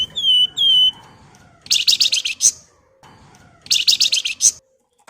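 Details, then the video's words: Javan fulvetta song played to prompt other birds to sing: two clear down-slurred whistles, then a dense burst of sharp, rapid high chattering notes, repeated after a short pause. "FLAMBOYAN GACOR NGEPLONG NYIUL NYULING TEMBAKAN TAJAM"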